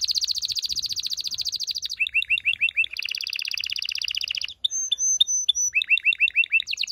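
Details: Strong canary song to stimulate mating in males and females: rapid rolling trills alternating with bursts of curved swooping notes, a brief pause, then whistled pips and more swoops.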